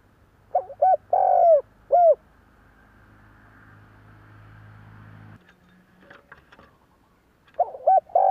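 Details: A Spotted Dove's cooing, used to provoke other doves into cooing: soft, hooting coos in a four-note phrase with a longer drawn middle note; after a pause of low rumbling and faint clicks, the phrase begins again.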